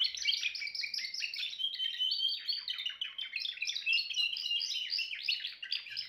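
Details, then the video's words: Timbrado canary song: fast bubbling trills give way to a steadier whistled tone, then more choppy rattled phrases, sung without pause against a quiet background. "chant canari timbrado"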